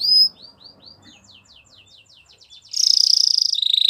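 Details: Belgian canary song for training young canaries: a loud opening note, then soft quick downslurred chirps and faint ticking syllables, ending in a loud, dense, pulsing high trill that drops slightly in pitch.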